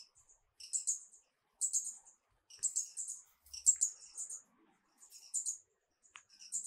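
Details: Marvelous spatuletail, an endangered hummingbird endemic to Peru, giving very high, thin, squeaky chip notes in short clusters about once a second over near silence.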